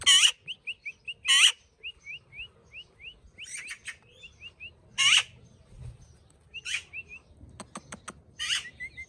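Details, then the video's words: Parrot mixing short rising chirps repeated in quick runs with loud, harsh, broadband squawks every few seconds, plus scattered sharp clicks; quiet background. "Talking parrot"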